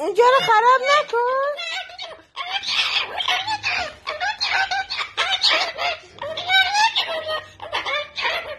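A sulphur-crested cockatoo grumbles in a near-continuous run of speech-like squawks and harsh rasps, with wavering rising and falling tones, several each second.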